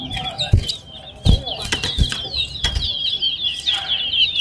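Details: A Large-billed Seed-Finch (towa towa) in a singing competition at Lamaha bird ground: fast, continuous warble of high, thin twittering notes, with low thumps, knocks and faint voices in the background.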